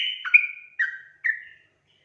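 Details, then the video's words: Sooty-headed bulbul singing steadily, recorded as a lure to make untrained birds sing: three drawn-out whistled notes, the first wavering and sliding down, then two shorter falling whistles, with no other sounds. "panggilan suara trucukan gacor efektif untuk pancingan burung trucuk bahan agar bunyi"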